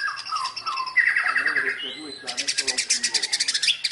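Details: White-rumped shama delivering song that imitates fighting sparrows: a few clear, falling whistled notes and a short rising whistle, then a fast series of sharp, sparrow-like chatter notes repeated rapidly to the end.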